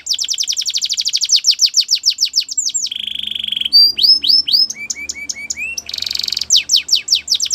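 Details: Russian canary singing a training song: rapid descending whistled sweeps repeated about three times a second, then a steady buzzy roll, followed by rising slurred notes and a bright metallic trill.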